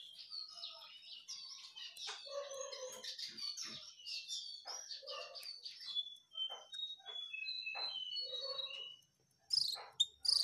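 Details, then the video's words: Lively jongkangan bird song, recorded a day before the bird vanished: a dense, chattering run of varied twittering notes, then a slower series of clear, separate whistled notes, closing with a few sharp loud chips. "Burung Jongkangan Gacor Sebelum Hilang"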